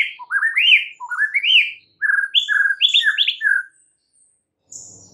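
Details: Lure song of a White-rumped shama meant to rile other shamas: looping rising-and-falling whistles, then clear bouncing phrases and a short pause before a faint high whistle and soft background rustle.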